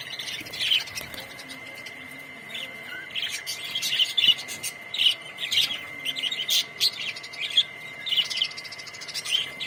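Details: Colony of budgerigars chattering together: a dense run of short, high chirps and scratchy warbles, often overlapping in bursts every half second or so, with a steady faint high-pitched tone running underneath throughout.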